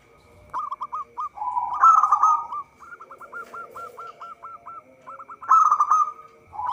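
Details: Song of a local zebra dove, used as a lure for trapping: quick clipped coos, a rolling trill, a loud stuttered burst, then a long run of about nine evenly spaced hooked notes before another burst; faint steady hum throughout.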